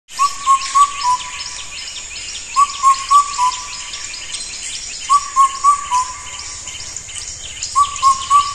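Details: Indian cuckoo (Cuculus micropterus), a solitary, shy bird, gives loud, clear four-note whistled phrases at a steady pitch. The phrase repeats about every two and a half seconds over a constant high-pitched hiss.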